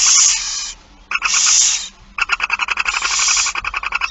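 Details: Loud, rasping barn owl begging screeches at a feeding in Friesland, Netherlands, September 2019, mixed with fast ticking chatter, overlapping calls giving a busy, harsh sound.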